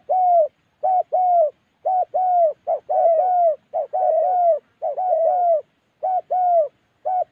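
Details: Spotted dove in Gia Lai, Central Highlands of Vietnam, giving rapid mellow coos: a short note followed by a longer drawn-out one, repeated about once a second, with phrases overlapping densely.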